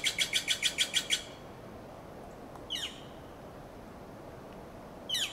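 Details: Northern flicker foraging in Del Monte Forest, California: a fast run of about eight high, evenly spaced notes lasting just over a second, then quiet, then two short, sharply descending call notes, one near three seconds and one at the end.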